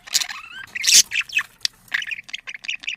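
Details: Budgerigar mating chatter meant to stimulate breeding: a rising whistled slur, a loud harsh screech, then a string of short bright chirps.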